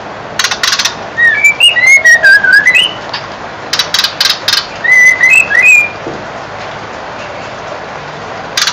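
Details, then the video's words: A white-crowned shama about 4 months old sings during an afternoon bath: two phrases of clear, rising and falling whistles, mixed with sharp clicks and broadband splashing bursts from bathing. "Shama Bird Singing"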